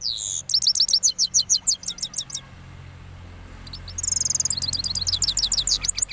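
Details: After its moult, a cross goldfinch from Parachinar sings rolling phrases: a burst of quick tinkling, twittering notes, a pause of about a second and a half, then a second fast, bright trilled series.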